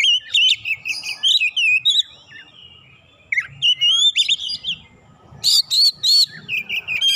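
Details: White-rumped shama singing to provoke a rival, pouring out varied loud whistled phrases and rich mimicry, bursts of rapid notes separated by brief pauses, some sharp buzzy chips mixed in.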